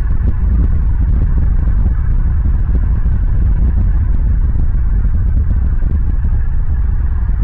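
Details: Heavy low rumbling like a passing engine or wind buffeting, with nothing heard above the deep roar.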